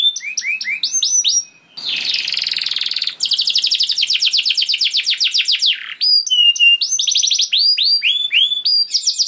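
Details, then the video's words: Canary in gacor song, loud and unbroken: sharp high chirps, a buzzy rattling trill, fast rolling repeated notes, then clear descending whistled chirps in quick series. "Kenari Kondisi Apapun Akan Langsung Respon Bunyi Gacor Panjang"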